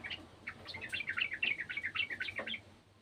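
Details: A garden yellow-vented bulbul pours out a hurried, jumbled warble of short chirping notes for about two seconds against steady background noise.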